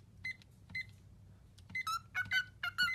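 Canary giving short, clear chirped notes with bright harmonics, first spaced apart, then quickening into a tight cluster of falling and level whistles over faint room hum.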